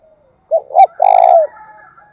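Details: Close spotted dove cooing, thúc bổi style: a quick note, a fuller coo and a long trembling purred coo easing downward, with a thin high tone lingering after.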